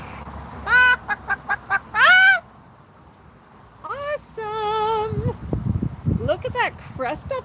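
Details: Captive male Moluccan cockatoo with crest raised, giving his 'bok bok' clucking greeting on a patio. Short harmonic clucks come in a quick series, then a longer wavering note, with a woman talking and praising him between calls.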